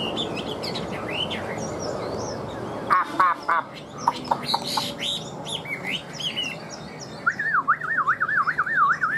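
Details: Captive Chinese hwamei with freshly grown feathers, giving scattered whistled notes and short chips, ending in a long wavering, rapidly oscillating whistle; background is busy with other faint chirps.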